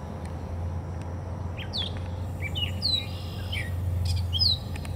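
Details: A Gray Catbird in Portage, Michigan sings a jumbled run of short squeaky and slurred notes, varied and unhurried, over a steady low rumble of background noise.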